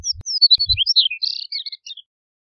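A Chestnut-collared Longspur sings a quick, tumbling jumble of high, sweet warbled notes lasting about two seconds, falling and rising before trailing off; a few low thumps early on.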